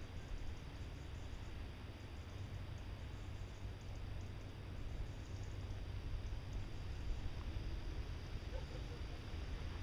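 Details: Steady low rumble of wind or distant traffic with a faint high hum throughout.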